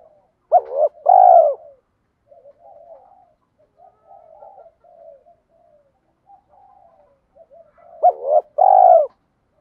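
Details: Spotted dove kept as a decoy to stir and train wild doves, mixed rural-field voice: two loud deep coo phrases, a short stutter then a drawn-out falling note, about seven seconds apart, with quiet low murmurs in the gap.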